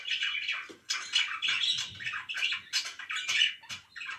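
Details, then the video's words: Pet budgies chattering in a room, loud scratchy warbles and squawks in quick pulses, with faint low thumps beneath. "LIFE WITH MY BIRDS"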